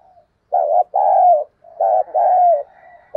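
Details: Decoy Spotted dove giving excited, vigorous coos: two loud doubled phrases, a short coo then a longer falling one, each introduced by a soft low note.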